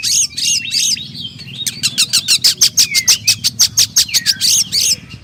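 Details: Oriental magpie-robin (kacer) song: a few swooping whistled notes followed by a fast, evenly repeated series of sharp chips, about three per second, ending in a falling whistle.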